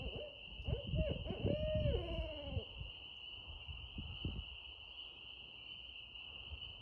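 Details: Barred owl calling with a burst of rapid, arched hoots followed by a long drawn-out note that slurs downward, over a steady high insect-like drone and low background rumble.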